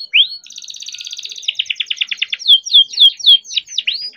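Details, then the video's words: Captive-raised young canary singing a long rolling song, used to prompt other canaries to sing: an upward sweep, a quick buzzy trill, then loud falling whistled slurs repeated about three per second. "KENARI GACOR DOR COCOK BUAT PANCINGAN KENARI BIAR GACOR || KENARI GACOR PANJANG"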